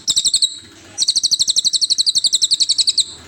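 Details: Cililin song used as a master for songbird training: a brief high trill, a short gap, then a long, rapid run of shrill, evenly spaced chipping notes, about nine per second.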